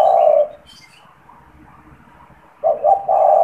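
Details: Lure spotted dove, caged, ending one long low coo, then after a pause starting a new phrase of two short coos and a sustained note; soft bird twitters in the background.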